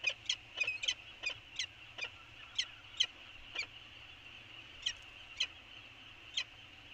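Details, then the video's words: Peregrine falcons calling at Anacapa early on 24 January 2020, a looser series of harsh, scratchy notes, quick at first, then spaced out roughly every half second to one second, with soft background hiss. "Anacapa Falcons, Early Conversation"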